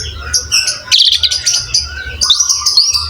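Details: Asian pied starling song: thin high twittering over a faint steady whistle, with a burst of loud chattering in the middle.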